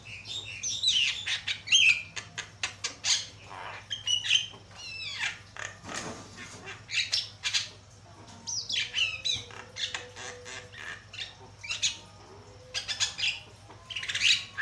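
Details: Loud, varied Javan myna song serving as lure and master material for training birds: rapid harsh chatter, rasping squawks and clicking rattles mixed with sharp whistled notes, delivered in repeated bursts separated by short pauses, with a faint low steady hum behind.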